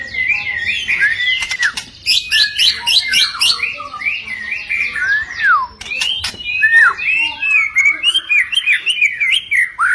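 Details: White-rumped shama song intended to make silent, stressed shamas respond: a chain of sweet slurred whistles rising and dipping, with sharp clicks between phrases.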